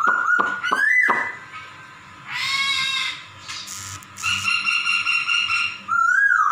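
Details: Meow-like mimicry from a laughingthrush, with quick rising whistles, then drawn-out nasal, harmonic-rich notes held for a second or more, ending with a short rising slurred whistle.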